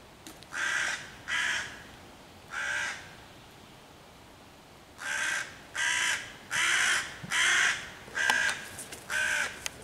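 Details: Hooded crow harassing five young raccoons in a tree on 11 June 2023, cawing louder to drive the predators off and call in other crows. Three caws, a pause, then a fast, insistent run of about seven harsh calls.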